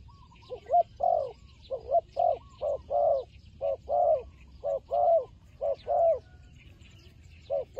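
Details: Fighting turtle dove calling: a run of short, hoarse mid-pitched coos, about one per second and somewhat irregular, some notes doubled. Faint higher chirps sound in the background.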